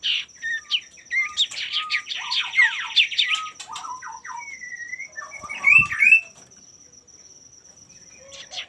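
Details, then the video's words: Male common iora, sung to spur rivals into song: a long scratchy rapid chatter with interspersed short whistles, then a few clearer slurred notes and quiet, with a steady high tone throughout. "pancingan burung sirtu/cipoh gacor jantan bikin lawan ikutan gacor"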